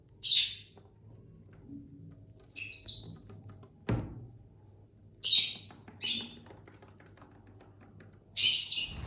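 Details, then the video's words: ['Household lovebirds, a family of six pets, eating and chirping; five separate harsh squeaky chirps scattered across several seconds, with one dull knock midway.'] "Bird sounds for lonely lovebirds (Eating, Singing & Chirping Sounds)"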